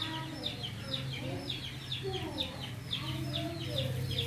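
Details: Free-living, tame Javan mynas sharing space with people give a run of scratchy, clipped chatter notes, several per second, over a constant low droning hum and faint voices.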